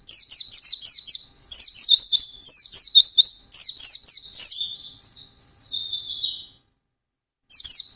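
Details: Intense gacor ngalas song of a white-eye. Rapid high chattering whistles pour out for about six seconds, trail off into softer slurs, fall silent, then resume abruptly.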